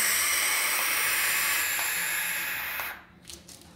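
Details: An American Barn Owl at its nest in a church tower in Quincuncá, Farias Brito, Ceará, Brazil, on 6 July 2019, gives a long, harsh hissing screech of about three seconds, like escaping steam, then faint rustles.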